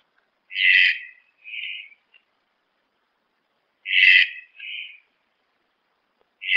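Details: Red-breasted toucan song: harsh, rasping two-part phrases, a loud grating note then a shorter softer one, repeated about every three seconds in a quiet background.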